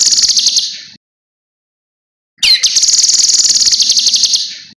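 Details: Cucak kinoi song meant as a training master for other birds: a high rapid trill ending in silence, then a quick upward-swept note starting a long, fast, evenly pulsed shrill trill lasting about two seconds.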